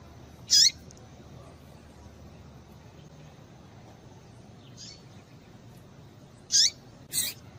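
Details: Female papa-capim piping to excite males into song: two loud, high, squeaky chips with a short lower trailing note, separated by a long pause, plus a faint distant call and a closing harsher burst over low steady hiss.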